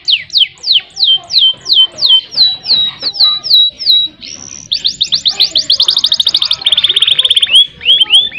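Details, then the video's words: Singing canary, used as a master recording to prompt a silent canary into long rolls: fast repeated downslurred whistles, a steady trill, then rapid clipped rolls and buzzy repeated notes, loud and clear. "Masteran Burung Kenari Gacor Buat Pancingan Kenari Macet Biar Ngerol Panjang"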